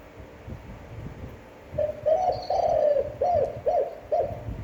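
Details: Spotted dove coo phrase with a long, appealing voice: a short introductory note, a sustained low coo, then three evenly spaced short coos, over steady low background hum.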